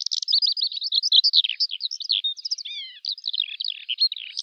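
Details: Short stretch of Eurasian skylark song: quick pulsed chirps and trills, then a few clear descending whistled notes, before the fast twittering resumes.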